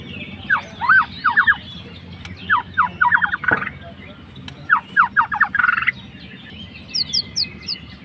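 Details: Fighter white-rumped shama (murai batu) provoking a rival: bursts of quick descending whistled notes with pauses, faint high chips late on, over a low constant hum.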